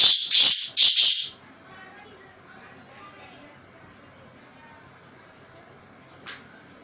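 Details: Black francolin (kala tetar) calling with three rapid harsh, scratchy bursts in about one second, then near silence with faint background hum and one brief distant note.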